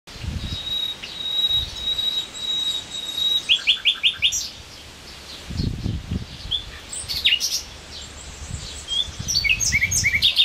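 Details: Common nightingale singing at full volume by the Jerte river at Plasencia: a long, steady high whistle, then a fast rattling run and varied rich phrases, with low thumps of wind in the background.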